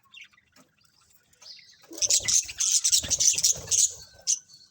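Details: Budgerigars in a colony start nearly silent, then break into a steady stream of bright, scratchy chirps and chatter lasting about three seconds, with soft low knocks beneath.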